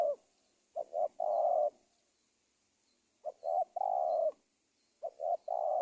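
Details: Spotted dove coos played to lure wild doves into a trap; three rhythmic phrases, two short notes then a long warbling coo, repeating roughly every two and a half seconds, faint hiss behind.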